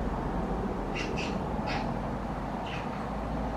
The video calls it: Magpie Chirping